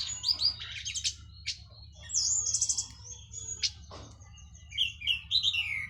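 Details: Orange-headed thrush, a local bird from Cililin just finished moulting, singing in a clear open teler style: varied high whistled and chattering phrases, bursts of rapid notes and sharp slurred whistles, with a steady low hum underneath.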